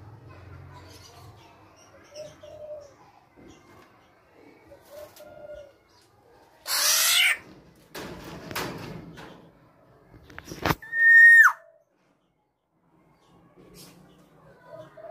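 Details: A tame female black-naped oriole, singing vigorously, gives one loud level whistle with a sudden downward end among bursts of rustling and flapping noise and a few faint soft notes.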